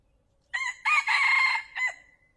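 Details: A cock wild junglefowl crows, the call trappers use to attract birds: a brief harsh first syllable, a pause, a long loud buzzy middle section, then one short final note trailing off. The setting is otherwise quiet.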